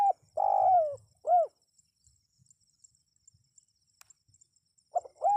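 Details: Spotted dove call used to lure wild birds into answering. A long, slightly falling coo is followed by a short arched note, a quiet gap with soft ticks, then the next phrase beginning, with a thin constant high whine behind.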